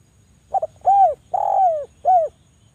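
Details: Javan spotted dove, played as a lure to prompt other doves to call: a clipped double note followed by three mellow, hollow coos, each arching up then down, the second longest, over a thin constant high tone.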